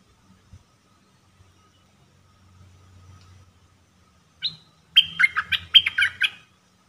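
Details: Red-whiskered bulbul decoy for trapping, 'dok taeng' song from 1 September 2021: after quiet faint rumbling, one rising note then a quick chattering, warbled phrase of whistled notes lasting about a second and a half.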